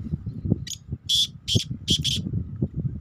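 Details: Black francolin (Kala Teetar), described as an antique breed, giving a short run of five harsh, grating, rasping notes in quick succession over about one and a half seconds, with low background rumble and faint handling noise.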